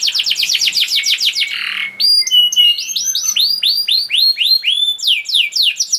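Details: Canary song for prompting silent canaries: rapid downslurred notes, a brief buzzy burst, then rising whistled sweeps repeated at a lively pace, with clipped high notes between.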